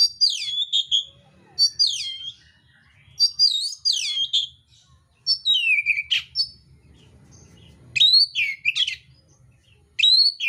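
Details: Oriental magpie-robin, mintal type, in contest song with rough imitated phrases. Loud clusters of steeply falling whistles come about every second or two, then sharp rising-falling notes.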